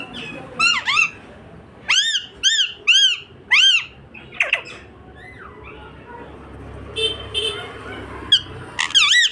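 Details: Pet parrot chirping indoors: a series of clear arched whistled chirps, each rising then falling, given singly and in pairs, with softer squeaky notes between.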